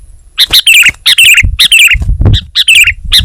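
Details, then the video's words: Sooty-headed bulbul (kutilang) in lively song: short bubbly warbled phrases mixed with sharp clicking chirps in quick irregular bursts, over faint low background thumps. "Suara Burung Kutilang Gacor"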